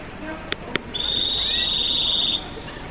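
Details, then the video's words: F1 kaputzensijs (red siskin), tropical birds from Colombia, giving two sharp clicks, then a long steady high whistle held for well over a second with a fainter lower whistle beneath it. "Kaputzensijs F1 (Sound)"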